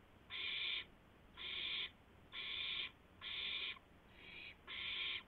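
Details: Owl before dawn on 2 April 2016, 2:51 AM, bringing a gopher to its mate; six harsh, hissing screech bursts at an even pace of about one per second over a quiet background.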